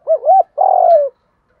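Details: Spotted dove giving a calling coo in the style known locally as giọng đồng: two quick looping notes, then a longer burry, slightly falling coo, all low and mellow, with otherwise quiet surroundings.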